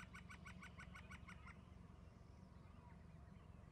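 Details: Two eagles perched on the mid-right branches of a tree calling: a quick run of about nine high, thin chittering notes over a second and a half, then quiet over a steady low rumble.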